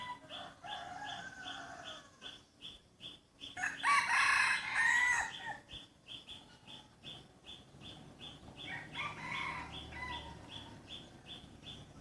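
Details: Free-range chickens raised naturally in a village yard. A harmonic, drawn-out crow swells loudly near the middle, and a fainter one follows later. Short high peeps repeat steadily, about four per second, throughout.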